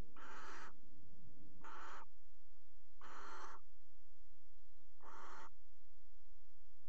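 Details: Barn owls at a water tower nest box, a pair mating at the edge in early February, give four rasping, broadband screeches of about half a second each, roughly every 1.5 seconds.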